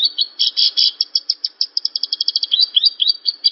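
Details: Javan bush lark singing a masteran training song: loud, rich opening notes, then an accelerating string of sharp high chips that become slurred, falling whistles. Nothing else is heard.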